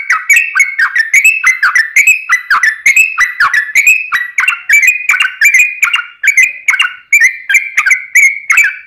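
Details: Long rapid-fire fighting-style song from a yellow-vented bulbul, intended to draw other bulbuls into replying; repeated bubbly phrases with rising whistled ends, steady rhythm, sharp percussive clicks.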